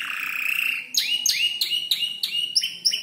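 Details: Young five-month-old canary, learning to order song borrowed from tutor birds such as prenjak lumut and ciblek, holds a long buzzy note then gives a handful of rising chirps in uneven rhythm.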